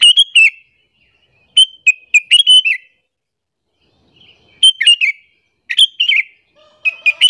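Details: Sooty-headed bulbul giving a lure call to bring in and anger other bulbuls: repeated bursts of quick, liquid chirps in phrases of three to five notes, with a soft lower tone audible near the end.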